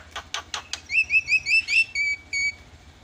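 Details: Lure for a starling that will not sing: four sharp clicks, then a string of short rising whistled chirps, ending with two clear flat whistles.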